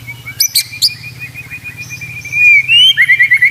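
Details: White-rumped shama training song, played to make caged shamas sing freely and steadily: a long steady whistle held near one pitch, then bright rapid rising notes and trills at the end, with a low hum underneath.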